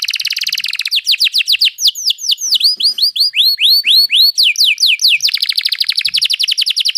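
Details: Canary trill song: a fast roll, then a run of loud sweeping upslurred whistles repeated around twice per second, closing in another rapid, even roll of short notes.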